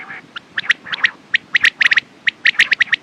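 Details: Quail calling in a rapid run of sharp, clicky notes, often grouped in twos and threes, with a brief raspy burst at the start and a dense cluster of calls near the end.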